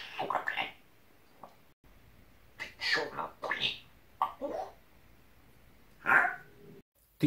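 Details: A pet talking parrot swears at its owner in Russian, chattering in short, raspy, speech-like bursts of word-length phrases with pauses, the owner's voice mixed in, in a small room.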